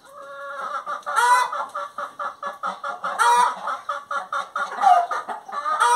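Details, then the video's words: Singing hen utters a near-continuous rhythmic series of clucks, punctuated by two louder buzzy squawks and ending on a rising note. "Galinha Cantando"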